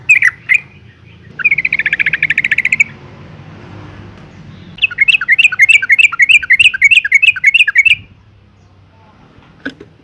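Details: Female Yellow-vented Bulbul in breeding condition calling to males: a rapid chattering burst of short, bright notes, then a longer fast run of repeated chirps about three seconds long, with brief single notes at the start.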